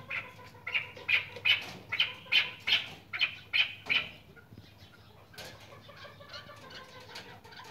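Barbary partridge gives a run of about nine harsh, clipped notes, roughly two or three per second, then fades into quieter scratchy sounds.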